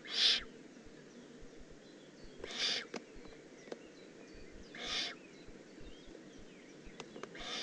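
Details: Young Eurasian eagle-owl, Eifel region of Germany, June 18, 2016: four breathy, rasping hisses spaced roughly every two and a half seconds, with faint clicks and steady low background noise between them.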